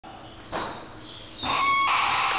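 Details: Two young galahs (rose-breasted cockatoos) nearing weaning, begging while waiting for breakfast, give harsh, raspy screeches: one short rasp, then a longer, louder grating call with a nasal, tonal edge.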